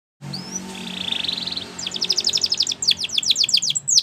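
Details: Spanish Timbrado canary singing a training song for young canaries: a buzzy, steady trill, then a quick run of sharp, high, descending notes repeated rapidly, over a faint low hum.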